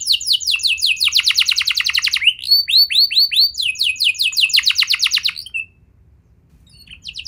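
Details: Canary song for getting young canaries to sing: rapid trills and series of arching whistled sweeps over about five seconds, then near silence with a last short note.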